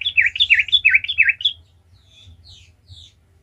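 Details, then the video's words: Sooty-headed bulbul lure song in gacor ngalas style for provoking other bulbuls: a quick phrase of about six swooping, dipping whistled notes, followed by a few faint high notes and quiet. "Trucukan gacor ngalas ahlinya bikin trucukan lain kepanasan langsung jadi gacor ngalas"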